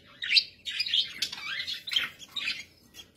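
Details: Captive budgerigars in a continuous warbling chatter of rapid, scratchy, rising and falling notes run together, loud and busy throughout before tailing off.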